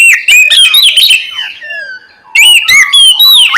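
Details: Oriental magpie-robin calling its companion with fast, loud whistled and chirping phrases, a brief quieter gap of soft descending notes, then another energetic run of bright twisting whistles.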